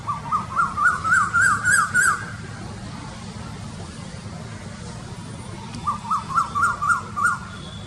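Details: Asian koel giving two bursts of rapid, bubbling notes, each series climbing slightly and lasting about two seconds, separated by a pause, over low background hiss.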